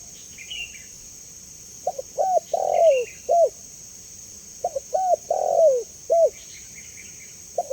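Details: Repeated spotted dove cooing, used as a lure and training call, with full phrases roughly every three seconds, each ending in a long falling coo and short closing note; thin high chirps from another bird and steady hiss.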